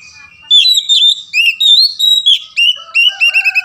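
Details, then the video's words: Loud, varied whistled song of an Oriental magpie-robin (kacer), played to make silent birds start singing: rapid rich phrases with rising and falling slurs, each note sharp and ringing, ending in quick repeated chirps. "PANCING BURUNG KACER Macet agar BUNYI"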